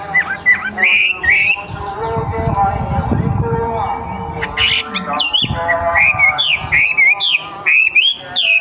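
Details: Young wild racket-tailed treepie singing: short, bright whistled notes with hooked, rising-falling shapes, in bursts; a steady droning tone and low rumbling noise underneath.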